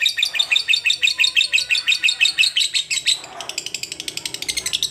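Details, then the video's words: Caged lovebird chattering: a fast, steady string of shrill, buzzy chirps, about three per second, pausing briefly before resuming even quicker and higher. "Love bird yang jarang bunyi agar Gacor"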